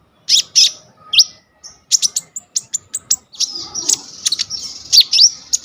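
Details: An energetic brown-throated sunbird performing its full varied song, phone-recorded for tutoring sunbirds: staccato high chips, a few upslurred whistles, then a continuous fast twittering stretch with scattered sharp accents.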